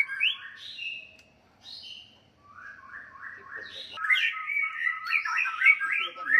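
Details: White-rumped shama fighting song to stir rivals' anger: soft scattered whistles at first, then a louder run of repeated trilled notes and warbled phrases building toward the end.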